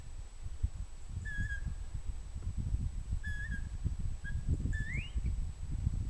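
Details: Pygmy owl calling: short, level whistled notes given singly at intervals of one to two seconds, the last sliding sharply upward, over a constant low rumbling background noise.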